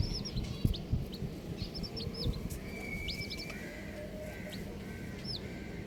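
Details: Baby chicks of mixed colours giving high, arched peeps in small bursts, repeated irregularly. A steady thin whine runs in the middle, with low rumbling and knocks behind.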